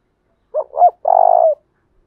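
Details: Decoy spotted dove in 'thúc bổi' style with a 'thổ đồng' voice: two quick hollow coos followed by a half-second vibrating croo that drops slightly at the close, with nothing else audible.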